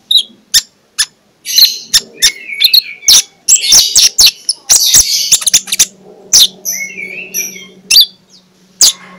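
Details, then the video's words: Magpie-robin song used in the morning as a lure: bursts of warbling and whistles between loud clicks, over a faint low background hum. "2 Menit di Pagi Hari MENJUR untuk PIKAT Konin Lelet jadi NGOBRA, Menggunakan Suara KONIN Ngeplong"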